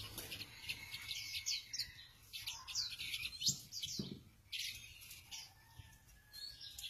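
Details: Free-roaming tame flycatcher singing a dense run of high, quick chirps and twittering phrases, with short bright notes overlapping in fast bursts and faint background hiss.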